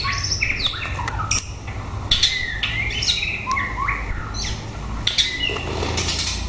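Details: Chocolate-colour white-rumped shama, a caged male placed with a young female for pairing, sings varied fluty whistles, upslurs and quick rising phrases mixed with sharp clicks, over constant low rumbling background noise.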